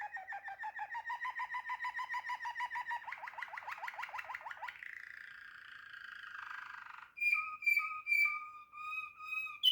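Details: Waterslager canary delivering a long rapid pulsing trill that gradually speeds up, turns into a hoarse, wavering rattle, then breaks into loud, clear, repeated whistled notes.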